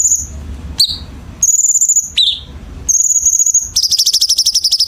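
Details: Chinese bulbul song for training competition birds, with tight sharp harsh fills. High, thin, level whistles and sudden downward chirps give way to a long, coarse, rapidly pulsed buzzing trill at the end.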